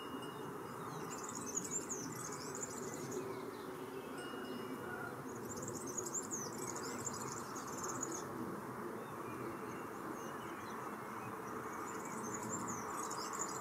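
A European serin gives three high, sizzling, jingling song bursts, each about two seconds long, over a steady low rumble of background noise.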